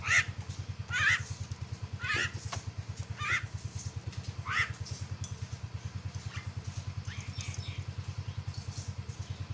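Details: Myna song used to provoke an opponent: a run of loud, harsh, buzzy notes about once a second that fade to faint calls, over a constant throbbing motor drone.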